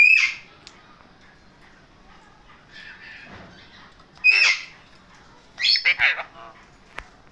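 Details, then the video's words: Male parrots giving harsh, raspy squawks in short bursts: one at the start, another near the four-second mark, then a quick run of three near the end, with quiet stretches between. "Raw males Talking || Wah parrots"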